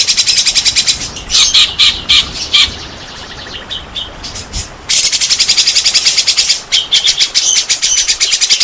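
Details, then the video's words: White-rumped shama song used to spark silent shamas into singing: quick rattling bursts, a cluster of separate sharp chips, a short pause, then a long, loud, rapid high trill with slurred notes. "sangat ampuh untuk pancingan murai malas bunyi. langsung gacor dan emosi bongkar isian"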